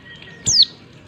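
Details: Female white-eye calling to stimulate males into song: one clear, high, thin whistle gliding steeply downward, lasting a fraction of a second.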